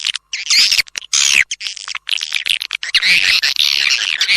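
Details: Swiftlet lure sound of the kind swiftlet-house owners play to attract birds: bursts of harsh, buzzy high twittering broken by short gaps, ending in a longer continuous chattering stretch.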